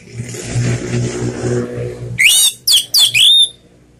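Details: Orange-headed thrush, slow ngeplong-style song used as a lure for silent birds: a low vehicle-like rumble fades before four loud, sweeping whistled notes that slur downward and then rise.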